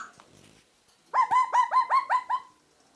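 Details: Pet parakeet whistling indoors: a run of seven quick, evenly spaced whistled notes, each sliding slightly up then down, with a short soft scratchy sound beforehand.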